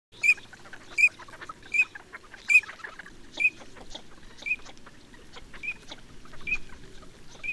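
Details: Eurasian teal calling: short clear whistled notes repeated roughly every three-quarters of a second, with faint rustly nasal sounds between them over a low steady background hum.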